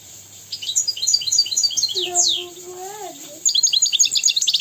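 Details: Goldfinch tutor song for young goldfinches and canaries: quick runs of high, chattering, liquid notes, a pause filled with soft lower squeaky glides, then the bright twittering resumes at the end.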